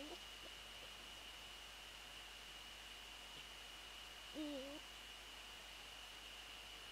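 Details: Eurasian eagle-owl near the nest at night, 13 January 2014, as prey is handed over: a single abrupt, squeaky, wavering call lasting about half a second after a long quiet stretch, faint traces of another at the start, over a steady background whine.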